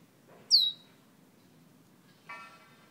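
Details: Fire-red bird from Guyana whistling: one sharp, high whistle sweeping quickly downward, then after a pause a short, harsh buzzy note, over a quiet low background hum.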